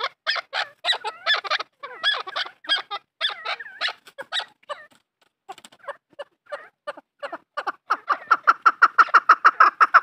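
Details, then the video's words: Farm-kept chukar partridge calling in rapid chattering clucks, uneven at first with a short lull near the middle, then building into a steady, fast run of regular chuck notes toward the end. "Farmi chakor francolin voice |chakor ki awaaz | chakor farmi"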